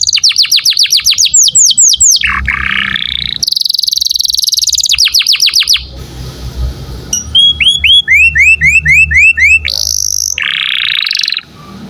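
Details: Canary in full, lively song, recorded to train other songbirds: fast rolls of descending chirps, harsh buzzy bursts, then quick series of rising whistled notes and a bright high trill, with a low background hum.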